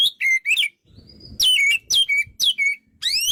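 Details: White-rumped shama delivering loud downward-sliding whistles in quick succession, ending on a rising sweep, with faint low background rumble.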